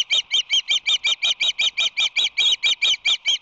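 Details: Osprey at the Whirley Crane nest on March 22, 2019, with a visitor present, giving loud, harsh, high chirps in a fast run of about three per second, hardly pausing.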